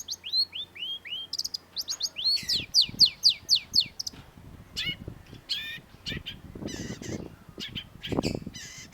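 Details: Long-tailed shrike master recording made for training cage birds: sharp, varied song of rapid downslurred and rising whistles, buzzy notes and chatter, with low-pitched background noise.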